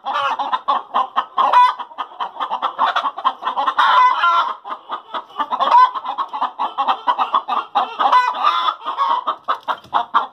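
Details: A chorus of hens cackling following egg-laying, continuous rapid clucking with repeated longer squawks breaking through every couple of seconds.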